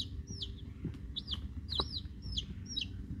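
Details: Week-old chicks of Rhode Island Red and Black Sumatra hens; arched, high peeps rising then falling, about two per second, with light knocks and a low hum beneath.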